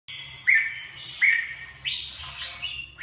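Red-whiskered bulbul giving bright, liquid whistled phrases, four short bursts in three seconds, each slurring down then up, over faint low background hum.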